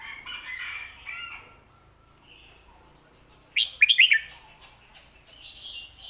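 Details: Red-whiskered bulbul phrase in the popular Thai Phat Kuay Tiew and Mae Bot song style: one crisp burst of fast, rolling whistled notes midway, with faint chirps from other birds before and after.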